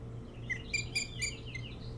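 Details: Osprey at a nest on Hog Island near Bremen, Maine, filmed by a nest camera early on 3 July 2018 around 4:36 to 5:06; about five high, whistled chirps spaced roughly a quarter second apart over a steady low electrical hum.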